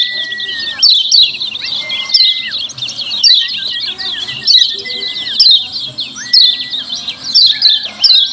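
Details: Lemon-bellied white-eye chatter used as a lure: rapid noisy high chirps in bursts about every second, interleaved with several long level whistles that drop at their ends.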